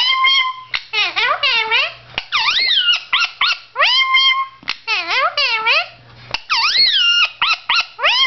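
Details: Male blue Indian ringneck parakeet chatters to himself in front of a mirror. He gives repeated bursts of high, nasal, speech-like syllables that swoop down then up, with brief pauses between phrases.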